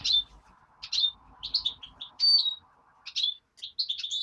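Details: Hand-reared greenfinch chick chirping repeatedly, high thin notes, some with a falling whistled tail, over a steady low electrical hum and faint thumps.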